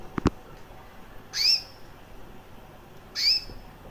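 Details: Recessive white female canary about one year old, also with red-factor eyes, chirping: two short bright rising chirps about 1.8 seconds apart after a pair of faint clicks, quiet room background.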